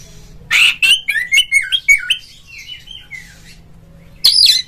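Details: Oriental magpie-robin singing as a rival-provoking lure so a kept bird answers and spreads its tail: a harsh opening note, then a descending run of clear whistled slurs, a pause, and a final sharp burst.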